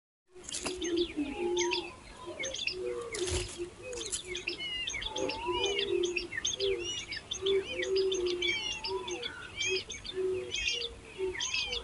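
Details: Hungry chicks being fed by their mother: a dense overlapping chorus of short high chirps and rising tweets, with lower soft notes running underneath throughout.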